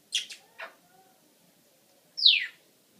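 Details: Pet parrot indoors giving two quick harsh chirps and a short buzzy note, then after a pause a loud bright squawk sweeping steeply downward.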